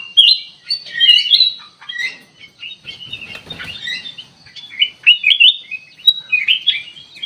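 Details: Sooty-headed bulbul lure sound for attracting birds; sharp chirping bursts and quick whistled slurs in uneven groups, with a brief rustling noise partway through.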